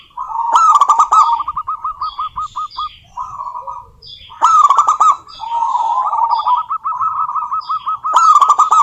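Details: Female local zebra dove in lively voice, calling a rival. Three phrases, roughly four seconds apart, each open with a loud sharp note and roll into quick, even coo trills. Other birds give high, descending chirps.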